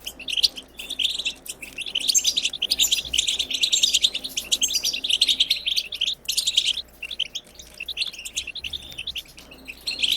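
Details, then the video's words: European goldfinch song of the wild twittering type, meant to prompt goldfinches into singing. Long bright runs of rapid twittering notes and metallic trills, broken by several short pauses, with a soft hum beneath. "بتبتة خلوية جديدة لتحفيز الحسون على التغريد بتبتة خلوية لتحفيز طيور الحسون"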